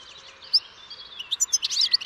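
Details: European goldfinch song: short high twittering notes building into a dense, rapid burst of tinkling chirps near the end.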